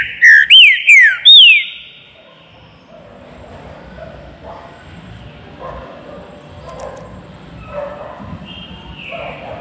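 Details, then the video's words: Green-winged saltator kept in a flight cage opens with four strong whistled notes, each rising then slurring downward, followed by quiet background of faint distant whistling and low noise. "TRINCA FERRO BARUC NO VOADOR"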